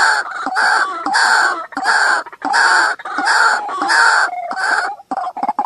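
A White-breasted waterhen gives loud, harsh, nasal croaks in a rapid run, each note about half a second long, with brief pauses between bursts.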